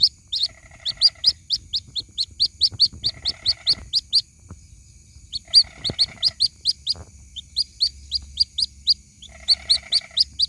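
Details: Waterhen chick of the white-breasted species calling to its mother, for luring. A rapid, steady stream of shrill peeps is punctuated by four brief buzzy, rattling phrases.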